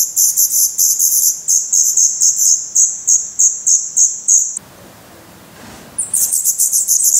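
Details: Black redstart nestlings in Portugal in mid-May 2020, fed on worms, spiders and a grasshopper, recorded close to the nest. Shrill, high-pitched rasping begging notes come in quick pulses, pause briefly in near silence, then resume.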